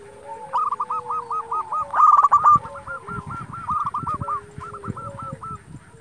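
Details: Provocative song of an active local zebra dove, used to get rival doves calling back: a long series of rapid rolling coos with a loud burst after two seconds, a second dove softer in the background.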